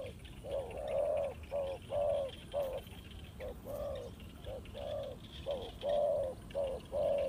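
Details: Spotted dove cooing as a trapping lure: uneven series of soft, hollow coos, short ones mixed with longer drawn-out notes, nearly continuous against light background hiss.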